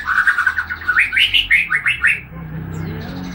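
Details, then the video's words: Young white-rumped shama of Medan stock, about three months old, starting to sing in full: a quick run of warbled, whistled notes rising and falling for two seconds, then steady background noise. "Murai batu trotolan mulai ngeplong"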